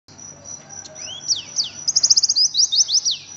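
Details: Oriental white-eye delivering fast 'ngriwik' chatter: soft upslurred whistles build into a crisp, evenly pulsed high trill, then quick descending squeaks close the phrase.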